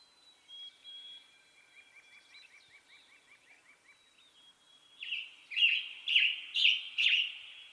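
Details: Western tanager song: four loud, raspy phrases in a quick run, following a soft repeated chip series and thin high whistles from other birds.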